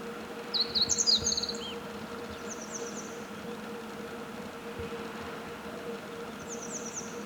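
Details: A meadow bunting sings one rapid, high, chattering phrase of slurred notes early on. Soft, distant high trills follow later, all over a continuous low hum.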